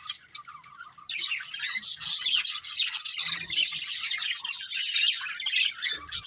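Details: A family of pet budgerigars chattering nonstop: a steady wash of high, scratchy warbles and clicks, quieter at first and then loud and continuous.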